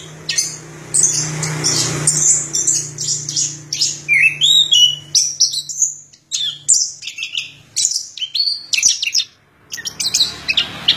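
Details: Continuous varied song of an orange-headed thrush, rapid high chirps, whistles and short downslurred notes tumbling together, with a faint low hum underneath.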